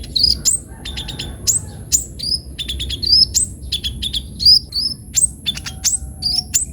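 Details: Sunbird singing hard with varied fills, for use as a lure or tutor for other birds; busy stream of sharp high chirps and short whistled slurs in clusters, with a constant faint high hum.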